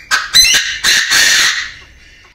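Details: Chinese francolin male in an aviary gives a loud crow of three or four grating, buzzy bursts in quick succession, ending in a long hoarse note that trails off.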